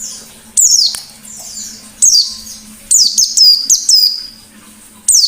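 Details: Actively singing white-eye, ngalas style, a lure recording: sharp high whistles sliding downward, some drawn out, arriving in irregular bursts roughly every second, over a low constant hum.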